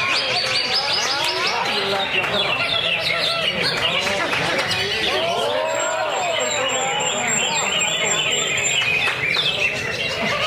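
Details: Greater green leafbird housed in a lovebird cage, in continuous 'ngentrok' song full of filler notes; busy twittering with arched, swooping whistles midway and a thin high steady tone laid over the later part.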